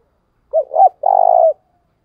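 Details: Lure spotted dove giving the 'thúc bổi' call used to attract wild doves: a pair of short, rounded hoots, then one sustained, vibrating coo lasting about half a second.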